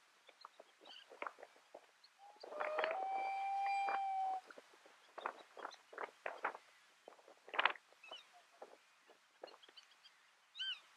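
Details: Common loon at Mývatn, Iceland, in June 2019, giving a single clear, steady, mid-pitched note of about one and a half seconds, amid short clicks, chips and another bird's high twitter.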